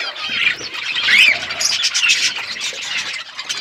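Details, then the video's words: Parrot eating food, February 25, 2024: a steady wash of high, scratchy squawks and chirps. Calls pile up and peak near the middle, then thin out toward the end. No other clear sounds. "Beautiful Parrot eating food birds chirping sounds"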